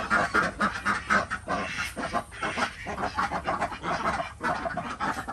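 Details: Desi ducks at a village farm in Andhra Pradesh during the morning egg round; softer, raspy quacks from a group, irregular and overlapping, with some rustling.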